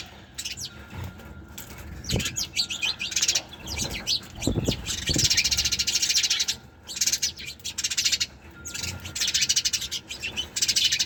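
Sparrows chirp busily in a dense, overlapping chatter of short, high notes, with a few soft low thumps and a faint steady hum.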